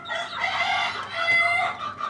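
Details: Deshi hen on a native-chicken farm: a steady, loud, nasal and harmonic call running almost unbroken, dipping once briefly near the middle and tailing off at the end.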